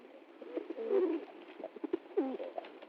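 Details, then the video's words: A kabutar, or pigeon, dances happily over food while giving soft, low coos, with one longer wavering coo near the start and a short rising-then-falling coo near the end over a faint murmuring background. "Pigeon sound"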